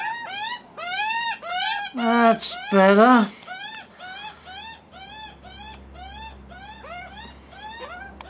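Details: Hungry juvenile Australian magpies scream for food: loud grating squawks early, a burst of lower, coarser calls in the middle, then a long run of quieter, rapid arched squawks fading off.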